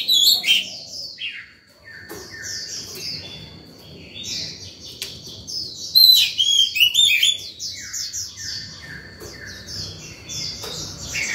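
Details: Oriental magpie-robin singing in the morning to lure other birds and train young birds. Bursts of sweet whistles and chattering notes alternate with softer phrases and a thin steady tone over low background noise.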